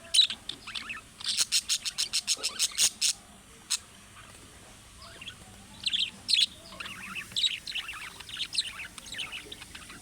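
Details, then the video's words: Budgerigar calling chirps that other budgerigars are said to answer, modelled on chicks: a quick run of about twelve clicking notes, a pause, then warbled chattering chirps. "MUHABBET KUŞU SESİ Kuşunuz Bu sese Karşılık Verecek Kuş Sesi"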